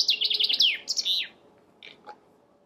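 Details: The closing part of a Chaffinch song: quick repeated notes dropping in pitch into a sharp flourish, then a couple of faint, isolated notes.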